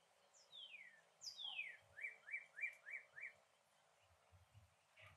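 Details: Rare yellow northern cardinal singing in a backyard in Port Saint Lucie, Florida, captured on an iPhone: two clear downslurred whistles, then five quick rising-falling notes at an even pace, with faint background hiss.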